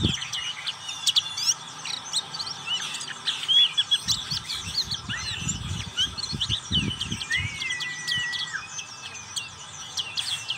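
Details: A black-capped white-eye delivers ngriwik song, a long stream of squeaky high chips and trills, with a couple of longer smooth whistled slurs near the end and low thumping noises in the middle.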